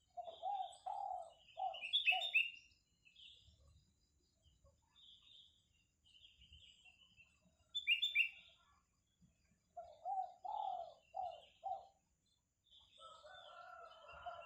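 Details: Spotted dove giving groups of soft low coos, pausing between phrases, while other small birds chirp and trill higher, and a faint buzz runs throughout.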